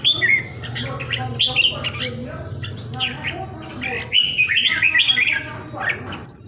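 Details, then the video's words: Caged red-whiskered bulbul kept at home in Vietnam during the Covid pandemic, praised as a 'ground airplane' singer: bright whistled, warbling phrases rising and falling, with clicking sounds and a steady low hum underneath. "PHI CƠ MẶT ĐẤT CHÀO MÀO VIỆT"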